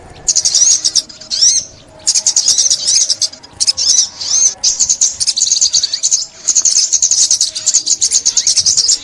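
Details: Olive-backed sunbird from a 2021 trapping recording: energetic, very high twittered phrases of several seconds, separated by quiet gaps, with a downward-then-upward sweeping note early on.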